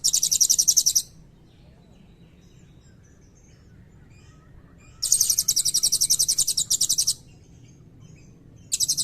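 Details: Blue-crowned hanging parrot in full song with long 'cililin' trill fills, used as a tutor recording for white-rumped shamas and magpie-robins: very high, rapid buzzy trills lasting about one to two seconds, separated by silent pauses.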